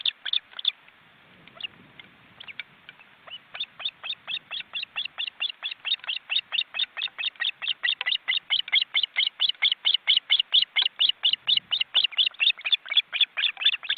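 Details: From a webcam nest in an Estonian forest reserve, a family of wild ospreys with large chicks that flap their wings. Faint low rumble at first, then a long, accelerating train of sharp piping notes, loud and evenly spaced.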